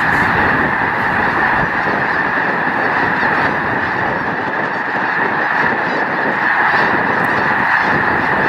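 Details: Massed snow geese at Loess Bluffs National Wildlife Refuge, 21 February 2020, on a beautiful day: a thick, restless clamour of honks, swelling and easing slightly, with scattered clearer cries over the continuous crowd noise.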